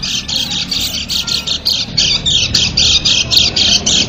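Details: White-eye lure sound for small birds, especially white-eyes: rapid, steady stream of high buzzy twitters, roughly three to four notes a second, over light background noise.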